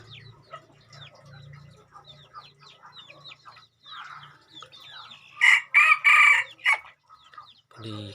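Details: Decoy red junglefowl of crossbred stock: after a long stretch of soft, repeated chirps from other birds over a low rumble, a sudden loud crow of several strained syllables lasts just over a second, then brief noise.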